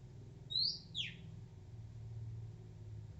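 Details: Wild Oriental magpie-robin, shy but still singing: one high whistled note falling into a buzzy sweep, set against a steady low rumble.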